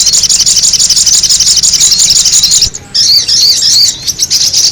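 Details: Sogon bird lure recording of loud, shrill chattering, fast repeated squeaky notes packed together, broken by a short quiet gap before the chatter resumes with more warbling notes.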